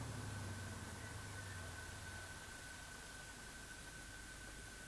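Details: Hissing background noise with a low engine-like hum and a steady electronic tone, and no animal sounds.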